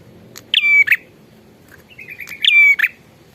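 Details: Prinia in lively song gives two loud buzzy whistled phrases about two seconds apart. A soft wavering trill leads into the second phrase, with a quiet hum beneath.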